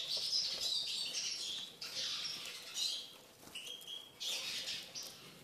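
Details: Eurasian siskin in captivity, being tamed, singing bursts of fast high twittering separated by short gaps, with a thin drawn-out whistle in the latter half.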